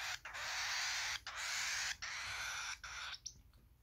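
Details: A baby cockatiel being hand-fed gives harsh, raspy begging screeches in long bursts broken by brief pauses.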